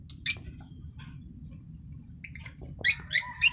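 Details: Green masked lovebird making a few sharp high chips, soft scattered twitters, then three loud harsh squeaky calls in quick succession at the end.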